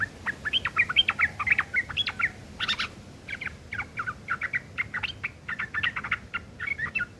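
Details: Rough, scratchy chattering by a sooty-headed bulbul, used to tutor long-tailed shrikes; a fast, almost unbroken stream of harsh clipped syllables lasting seven seconds, busiest at the start.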